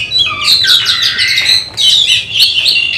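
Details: Oriental magpie-robin (kacer) in contest training, pouring out a dense, loud medley of whistles and buzzy trills with one short pause.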